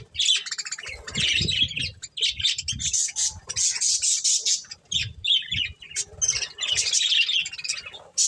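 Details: Pet budgerigars eating corn: dense, fast chirping and squawky chatter from several birds, bright and high, in bursts with short pauses, with low thumping and rustling from feeding underneath.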